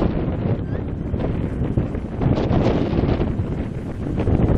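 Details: Heavy, low wind buffeting the microphone throughout, with faint murmuring in the background and no animal calls.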